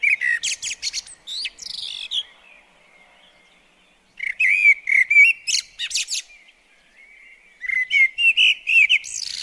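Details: Common blackbird at a bird table pours out warbled, flute-like phrases laced with sharp high chips, three bursts with quiet gaps between them.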